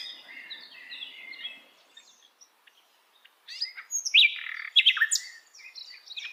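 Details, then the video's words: Sikatan londo flycatcher in wild forest: soft warbling whistles at first, a short near-silent gap with isolated ticks, then a louder, dense outburst of high, scratchy chirps and whistles. "kicauan Sikatan Londo Dialam Hutan Liar"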